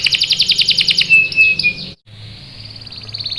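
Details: Canary, a female in breeding condition calling to a male, gives a rapid run of repeated sharp chirps, then clear level whistles, a brief silence, and a steady buzzy rolling trill.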